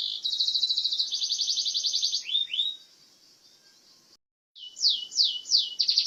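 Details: Burja canary in full song, long fast high trills in two connected stretches, two short downward slurs, a pause, then three sharp falling whistles and a resumed trill.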